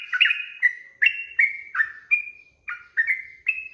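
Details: Master training song of a sooty-headed bulbul: bright, liquid notes that glide downward, sung in quick succession, with a short gap before the last few notes.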